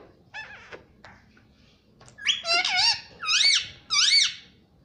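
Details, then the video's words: Pet green ringneck parrot indoors mimicking "mummy"; several loud, bending, nasal syllables in quick succession, each rising then falling in pitch, after softer scratchy sounds. "Mummy Papa Bolne Wala Tota || Talking Parrot || Pattu Parrot Talking"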